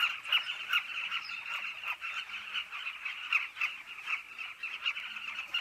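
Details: At their cliff colony, nesting carmine bee-eaters keep up a constant throaty chatter, with many overlapping calls and louder pulses every second or so.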